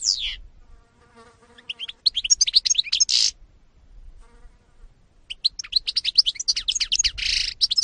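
European goldfinch song: rapid bursts of bright, tinkling twitters and liquid trills, with a softer, lower chattering phrase between the loud runs.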